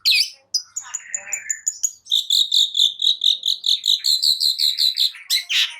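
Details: Long-tailed shrike singing to spur quiet birds: a few mixed chirps and a buzzy slur, then a sustained series of clear, high whistled notes repeated quickly and evenly, ending in a rough burst.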